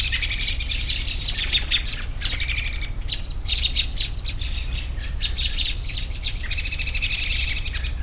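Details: A lively flock keeps up dense high chatter, with a long buzzy twittering passage at the start and another near the end, over a low steady hum.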